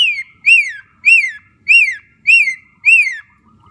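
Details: Javan myna repeating a clear arched whistle that rises then slides down, six times at steady intervals of about half a second, in a quiet setting.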